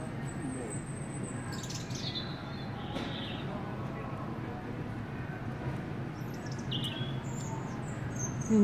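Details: A European robin singing indoors in a garden centre in Germany, 1 March 2018: thin, high, wistful phrases trickling downward, separated by short pauses, over indoor hubbub and a woman's delighted chatter.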